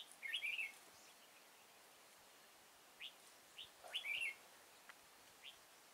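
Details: Red-whiskered bulbul during trapping in Kim Bôi, Hòa Bình, Vietnam, 6 April 2017: two loud, chirpy warbled phrases about four seconds apart, separated by short single chips.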